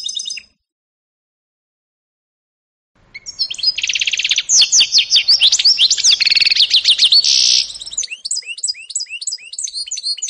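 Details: Canary-goldfinch mule (hybrid), 2018, singing: a brief high note, a pause, then a fast rich warble of twittering notes, sweeping slurs and a buzzy trill, ending in repeated chirps.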